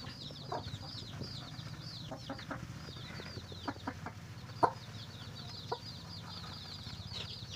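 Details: While finding food for its chicks, a chicken gives scattered soft clucks and one louder sharp cluck midway, surrounded by busy high-pitched chick cheeping and a low rumbling background.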